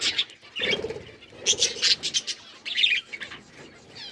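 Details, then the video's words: Budgerigars at green food, trading quick high chirps and short warbles in separate bursts, with brief rustles between them. "Budgies bird eating green food birds chirping sounds"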